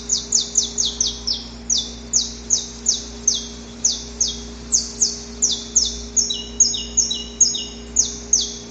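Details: Pre-dawn song of a male saffron finch courting a female, recorded in nature: a long, rough series of rapid, high, downward-sweeping syllables, about two or three per second. Some are doubled into lower echoing notes, over a faint steady hum.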